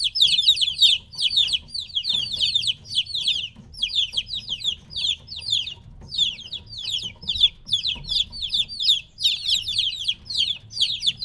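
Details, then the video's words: A brood of three-week-old chicks separated from the mother hen calls continuously, bright falling peeps in quick overlapping bursts with short pauses, over steady low background rumble. "2 HOUR OF LITTLE CHICKENS CHIRPING NOISE"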